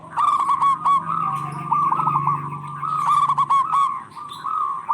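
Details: Local zebra doves in full song, calling back and forth, used as a lure for stressed or silent doves: dense overlapping trilled cooing phrases run almost continuously, with a low steady hum underneath.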